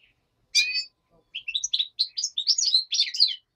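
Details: Daytime song of a black-headed goldfinch opens with one harsh, buzzy note, then after a pause turns to a quick run of clear, chirping, tinkling twitters that grow louder toward the end.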